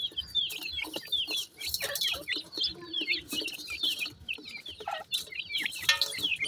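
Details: Baby Mikado pheasants feeding with their mother in sunshine give a dense stream of high, falling peeps, many overlapping, with a few lower chirps among them.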